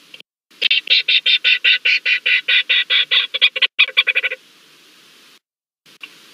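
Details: Leach's storm petrel in a vacant Cahow burrow on Nonsuch Island at night, 20 July 2019, meeting a land crab in the dark: a rapid, stuttering series of harsh pulsed notes for about three seconds, quickening at the end, then quiet.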